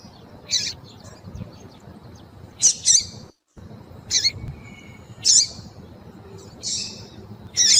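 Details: Female double-collared seedeater, in heat, calling for a male: repeated sharp, buzzy high chips, some doubled, about seven notes at uneven intervals, with one brief silent gap.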